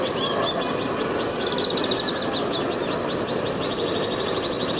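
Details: Alpine swifts in Hérault, France, July 2022, giving a long rapid trill of high chattering notes that speeds up and trails off, over a steady loud low rumble of background noise.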